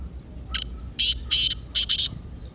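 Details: Partridge voice intended to excite a kept partridge into song: a rasping phrase of five high, grating notes, the last two tightly paired.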